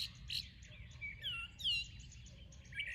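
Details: Morning birdsong with scattered high chirps and a few longer, sweeping whistled notes, fairly soft and spaced apart over a low background hum.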